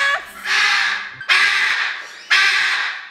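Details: A hyacinth macaw, kept indoors and heard from downstairs, gives three loud, harsh, grating squawks, each about a second long and roughly a second apart, from a little distance.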